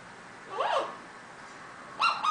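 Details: Eclectus parrot, a pet bird, making a quick rising-then-falling whistled slur, followed by two harsh, nasal squawks in rapid succession over faint background hiss.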